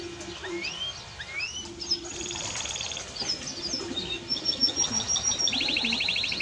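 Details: Timbrado Español canary song mixing upslurred whistles, a fast metallic rattle, thin high whistled notes and a closing rapid pulsed trill.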